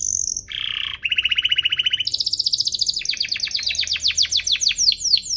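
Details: Canary song used to train and stimulate young canaries: a high note, a low buzzy trill, a rapid mid-pitched rattle, then a long run of quick downslurred whistles.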